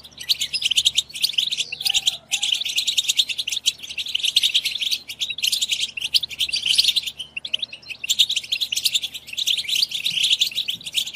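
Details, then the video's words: Sustained European goldfinch twittering intended to stimulate singing and mating, with rich, rapid chirps, buzzes and trills pouring out almost without pause in overlapping phrases. "بتبتات خرافية في تحفيز الحسون على التغريد"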